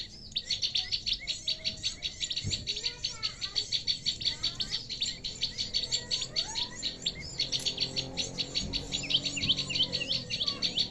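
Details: Prinia call played to lure birds into a trap: a busy, continuous chatter of high, quick chirps, with a few softer lower whistled slurs in the background.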